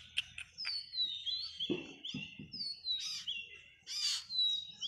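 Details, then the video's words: First-day parrot chick being hand fed, uttering repeated high, thin whistles that slide downward, several in a row, mixed with soft low thumps and handling noises. "1st day baby Perot 🐦hend feeding पहले दिन तोता कि बच्चे का hena feeding"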